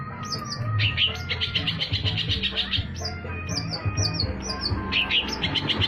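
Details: Long-tailed shrike lure song used for trapping: quick, varied chattering phrases with high chirps and short rising notes, over a constant low rumbling background.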